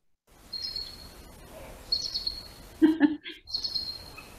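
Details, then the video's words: A Bald Eagle at the March Point Great Blue Heron colony in Skagit County gives typical eagle chatter, a disturbance to the herons. The chatter comes as thin, high, squeaky notes in three short bursts, with a brief lower, harsher sound mid-way. "that was typical eagle chat"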